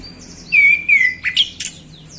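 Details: Male orange-headed thrush, a caged singer, in relaxed afternoon song: a clear whistled phrase sliding downward, followed by quick varied chirps and a short high flourish, loud against a quiet hum.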